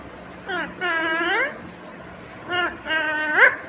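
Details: Talking Indian ringneck parakeet kept as a pet, mimicking human words in a clear voice: a long wavering word-like phrase followed by two shorter ones that rise sharply at their ends.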